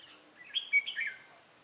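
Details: A single bright warbled phrase of slurred whistles from a Red-whiskered bulbul decoy at a trapping site in Bình Phước, Vietnam, 25 June 2018.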